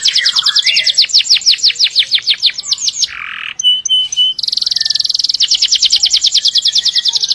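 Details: Canary with a long rolling song for training other birds: fast series of descending whistled notes, a brief buzzy break with thin tones, then a long rapid trill of repeated high notes.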